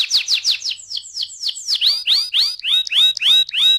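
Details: Canary song from a lure recording meant to make canaries sing with rolls: loud, sweeping downward whistled notes repeated about four times per second, shifting into richer, ringing syllables with a lower echoing tail.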